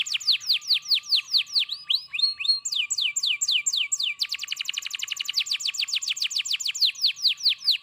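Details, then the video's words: Canary in full, energetic song: a series of clear downslurred whistles at about three per second, a brief switch of note shapes, then a long, rapid buzzy trill to the end. A faint steady hum lies beneath. "kenari gacor"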